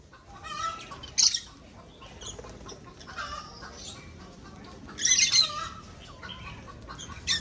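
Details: Aviary lovebirds kept for breeding give two sharp, shrill squawk bursts, near the start and past the middle, between softer scattered chirps over a quiet background.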